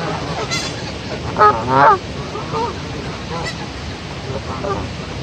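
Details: Goose aggressive toward other geese gives a loud, rasping double honk partway through, followed by softer, fainter honks, all set against steady broad background noise.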